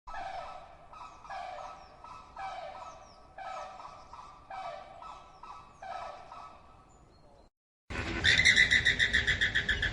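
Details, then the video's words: Flamingos giving nasal, honking calls in a steady series, about one every second, each with a stacked, reedy tone; the sequence cuts off abruptly near the end, and a louder, harsher burst of different calling follows. "Flamingo Sounds and Noises"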